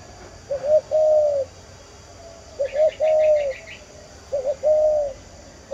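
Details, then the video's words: Spotted dove giving three soft, low cooing phrases, each a short note then a longer drawn-out coo, about every two seconds, with faint high chirps from another bird. "Cu gáy đồng diều"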